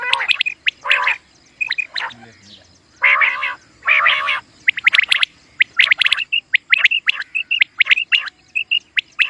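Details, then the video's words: Common quail calling, for quail hunting, loud grating harmonic bursts early, giving way to rapid high whistled notes and sharp clicks in a quick busy series. "Common Quail Sound | For Quail Birds Hunting | Batair Ky Shikar ky Liye Batair Ki Awaz"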